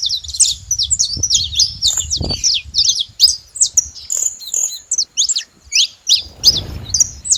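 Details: Saffron finches noisy at a feeding spot, a stream of high thin chirps and quick downward-swept notes, some separated by brief pauses, with soft low background noise and a rustle near the end.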